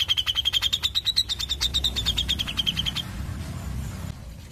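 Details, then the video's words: Cucak jenggot, the grey-cheeked bulbul, delivering tight ngepik rapat: a rapid run of clipped, high 'pik' notes for about three seconds, pitch rising slightly then easing down. Then only a low hum remains. "Sperti ini CUCAK JENGGOT Ngepik Rapat"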